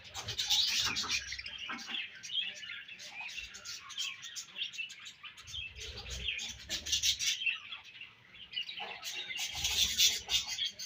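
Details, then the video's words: Breeding-season budgerigars twitter constantly, with rapid high chirps and grating warbles at about three per second and louder surges at the start and near the end. "Budgies Breeding Season & Budgies Chirping Sounds"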